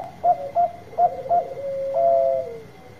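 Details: Big-voiced Bangkok zebra dove singing actively, played to encourage reluctant birds. Four short bright hoots about a third of a second apart, then a soft rolling coo and a long clear note that falls at its close. A steady high hum is faintly audible.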